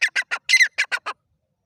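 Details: Black francolin: a harsh, clean-cut series of seven grating notes in under one and a half seconds, the fourth longer and doubled, followed by silence.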